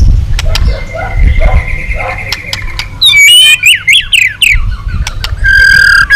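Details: White-rumped shama trained in long song to provoke other shamas: a drawn-out thin whistle among clicks and low rumble, then loud rapid swooping whistled notes and a final buzzy repeated phrase.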